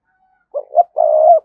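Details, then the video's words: Lure cooing of a spotted dove used to provoke a reply, with two quick rounded notes followed by one drawn-out even coo, loud and clean with nothing else audible. "Tiếng Chim Cu Gáy Mồi thúc Gù Kích Bổi Cực Nhạy"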